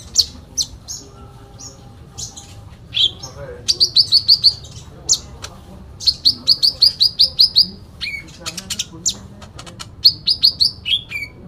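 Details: Sooty-headed bulbul in full fighting song packed with fill phrases: sharp high chirps and rapid rattling trills of five to eight notes, separated by short pauses, with faint low background hum.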